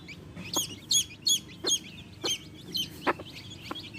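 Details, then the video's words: Chirping baby chicks with their hen, high thin peeps sliding downward, given in quick uneven bursts over a murmur of low clucks and scratching. "baby chicks chirping sounds"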